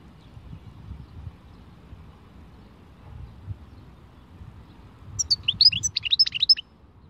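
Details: One rapid, sparkling phrase of high chattering twitters from a European goldfinch, sung in the khalwi style, arrives after several seconds of near silence and lasts about a second and a half.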